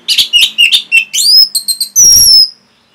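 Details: Orange-headed thrush training song for caged birds: a lively run of bright chirps and rising whistles, ending in one long, clear, high whistle that slides gently downward.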